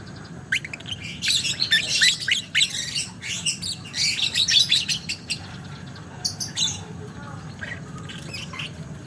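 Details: Lovebird in the long 'ngekek panjang' chattering style: shrill, scratchy bursts of rapid chips packed densely through the middle seconds, then thinning to a few sharp notes, over a low steady background hum.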